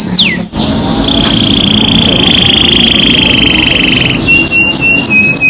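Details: Canary in rolling, high-shooting song: a brief falling whistle, a sharp click, then a long, steady, finely trilled high note held about three seconds, followed by short, level, whistled notes; low background hum throughout.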